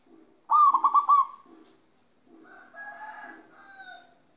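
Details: Local kept zebra dove from Magelang, Central Java, Indonesia, singing while moulting: a loud quavering trilled coo lasting under a second, soft low pulsed notes after it, then quieter tonal phrases.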